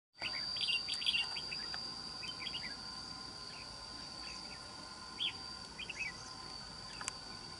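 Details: Caged red-whiskered bulbul kept as a trap bird, with a wild island-forest voice: short warbled phrases scattered through the recording, bright and quick, over a steady high insect whine.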